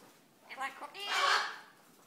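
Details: Liu, a female severe macaw about 15 years old at a parrot sanctuary in Damascus, Maryland, talking in a raspy voice, phrases like "you like cookie" and "garlic": a few short syllables, then a longer, louder harsh phrase rising mid-way.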